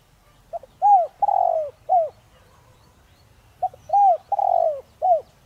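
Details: Spotted dove decoy bird with a 'Đồng Rặc' voice style, used to stir wild doves into calling: two deep cooing phrases, each a short stutter note and then drawn-out falling hoots, about three seconds apart, over faint low background hum.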